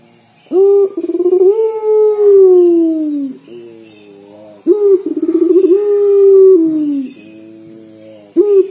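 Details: Long, wavering coos from a chatty local puter dove said to sound like crying. Each opens with a sharp note and a pulsing stutter, holds steady, then drops away. The pattern returns about every four seconds.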